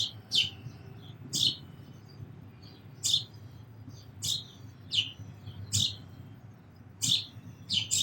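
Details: Sparrow uttering around nine loud, piercing chirps in eight seconds, irregularly spaced, some followed by a short softer trill, over a quiet low hum.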